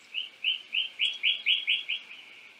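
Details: A male painted bunting (Passerina ciris) gives a quick series of about nine bright, high notes, evenly paced about four per second and fading at the end, over faint background hiss.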